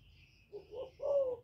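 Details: Kept decoy spotted dove (cu gáy, cu đất, cu cườm) singing to rouse other captive doves: two soft, short low coos, then a louder drawn-out coo. Faint high chirps from other birds sound in the background.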